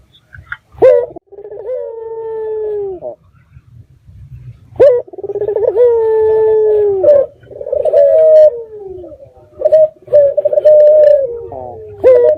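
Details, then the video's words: Lure recording of a vigorous local red-eyed dove, meant to make other doves answer: deep coos opening with a quick rolling stutter and stretching into long, slightly falling tones, repeated after short silences. "Pancingan Burung Puter Mata Merah Gacor"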